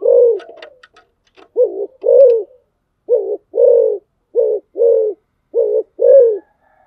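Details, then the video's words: Spotted dove serving as a decoy, giving a string of deep two-note coos, a quick clipped note then a longer rounded one, four pairs in seven seconds after some scratchy ticks at the start. "tiếng chim cu gáy mồi"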